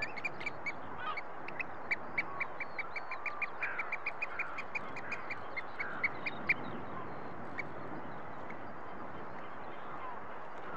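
Oystercatcher giving a quick run of sharp, high piping notes, about three a second for seven seconds. Faint skylark song and a low wind rumble behind.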